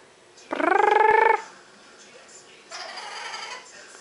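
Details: A pet parrot that could only purr when found gives a rolling, rapidly pulsed purr, a low buzzy trill under a second long, then a fainter, raspier purring phrase.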